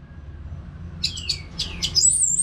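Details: Orange-headed thrush in a cage, singing continuously; a few downward-sweeping whistled notes followed by a sustained, very high warbling phrase.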